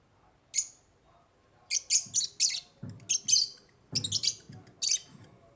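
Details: African lovebirds: clusters of shrill, buzzy chirps in quick bursts of two to four, one isolated chirp first, with dull low knocks under several calls.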